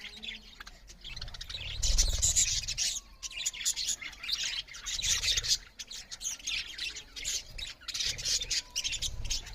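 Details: Budgerigars, several parrots, chirping loudly while eating; dense, scratchy warbling chatter at high pitch, continuous with bursts every second or two, plus low rumbling handling noise underneath.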